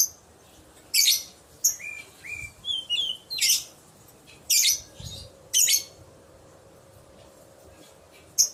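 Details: Lovebird luring call to prompt other lovebirds to answer: sharp screeching bursts spaced about a second apart, interspersed with brief rising whistled twitters, then quiet toward the end.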